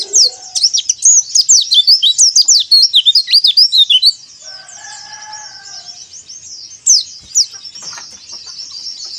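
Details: White-eye twittering used as a lure for caged birds: about four seconds of rapid, high, sweeping chirps in a busy warble, then quieter distant twitter, a brief lower tonal sound, and two more sharp notes.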